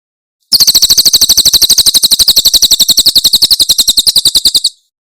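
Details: Javan prinia (Tembakan Cililin) song used as tutor recording for cage birds: a rapid, even series of sharp high chirps, about four per second, sustained for four seconds with no other sounds.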